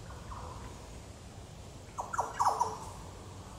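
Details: Yellow Oriole recorded 9 September 2022 in Goomboora Park, Cairns, Queensland, Australia; after a faint opening phrase, a burst of three or four mellow, downward-slurred notes comes midway, with steady low background hiss.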